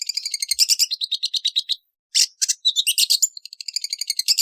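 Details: Long-tailed shrike producing a dense, varied chatter of scratchy and buzzy notes, broken by a brief pause and quick rasping bursts.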